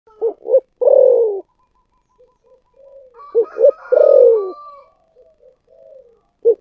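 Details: Spotted dove, sung in the thổ sấm voice style with thúc gù cooing: two short clipped notes and then a long, falling coo, the phrase given twice with a softer, quieter cooing between them.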